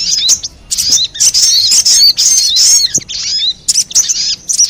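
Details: Lure call of the sogon bird, meant to attract wild ones: repeated bursts of high, squeaky chirps and slurred twittering notes separated by short quiet gaps.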